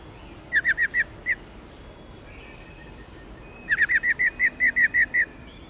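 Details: Female white-cheeked laughingthrush, subspecies lugens, singing to stimulate males: two bursts of clear whistled notes, five quick notes, then a pause and a longer run of about eleven evenly spaced notes, over a faint background hiss.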